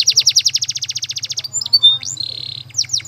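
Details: Canary singing a training song: a quick run of rolling trilled notes at the start, then short whistles, a sustained steady tone and a few falling slurs, with a faint low pulsing hum underneath.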